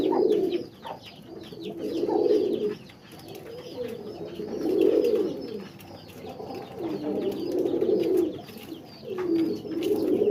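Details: Repeated bouts of low, rolling pigeon coos, each swelling and fading over about a second, come in a steady series with short gaps, accompanied by thin higher chirping.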